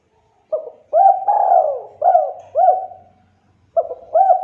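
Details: Spotted dove cooing as a lure to make other doves answer: short low hooting coos, each with a small rising hook, in a broken rhythm. One longer drawn-out coo falls in pitch, and the sound is clean and quiet between coos.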